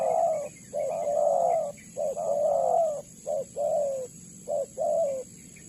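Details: Tekukur, the spotted dove, calling as a trapping lure: repeated soft, hollow cooing phrases of drawn-out and clipped notes, about one each second, with a constant faint high whine behind.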